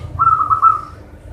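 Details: Local zebra dove, kept as a song bird, singing to stimulate birds that sing little: a short warbled cooing phrase of a few rapid notes, with low background hum.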